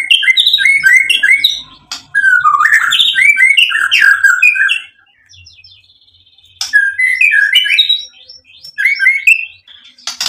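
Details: Vigorous white-rumped shama song with varied filler phrases, used to provoke a reply: fast sequences of whistled notes at shifting pitches, a quieter interval with soft high notes, then renewed song.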